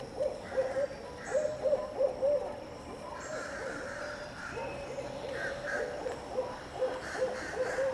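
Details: In a backyard an owl utters two bursts of low, rapid hoots, one at the start and one near the end, with scattered higher chattering bird calls in between.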